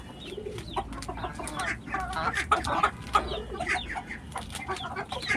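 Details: Rooftop farm chickens clucking excitedly as feeding begins: dense, uneven clucks and brief sharp notes tumbling over one another, with a person talking nearby.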